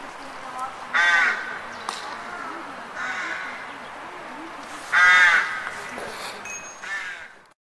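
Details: Crows cawing in the street: harsh, nasal caws in short bursts near one and five seconds, with fainter caws between them and a low background murmur.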